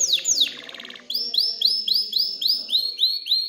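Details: Excited canary singing to spur females toward mating and nest building: two sweeping downslurred whistles, a brief low rattle, then a run of arched whistled notes repeated nearly three times a second.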